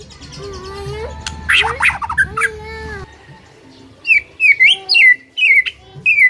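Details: White-rumped shama singing loudly: after a stretch of mixed squawks and lower drawn-out tones, a series of bright upslurred whistles follows, each about half a second apart, sometimes doubled.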